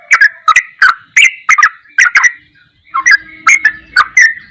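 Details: Goklikan-style song of a sooty-headed bulbul for training songbirds: rapid clicky chirp phrases, a short gap before three seconds, then the chirping resumes at the same quick pace.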